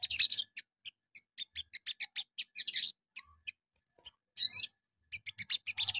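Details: Morning sogon lure song meant to make other sogon reply: a run of short, high, evenly spaced chirps, then a brief loud squealing burst and fast, high, scratchy chatter toward the end.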